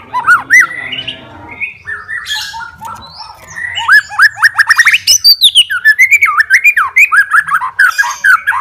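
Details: White-rumped shama, a fighter bird seeking a rival and provoking other shamas, pouring out its repertoire: rapid varied phrases of slurred whistles sweeping between low and high pitches, then a fast run of sharp repeated chips and looping notes.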